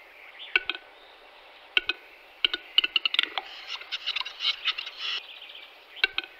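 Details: Western capercaillie song in March 2022: dry, widely spaced clicks that speed up into a rapid rattle, then a scraping, wheezy whetting phrase, followed by more single clicks.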